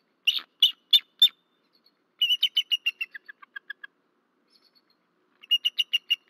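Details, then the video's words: At night on a nest at Berry College, Georgia, in March 2024, a male bald eagle gives four loud sharp high yelps, then a run of thin chittering notes that sink lower and fade, ending with a fresh burst of chatter. "Berry College Eagles~Missy Gets Disturbed Just After Midnight-Wing Slaps At Something-Vocals"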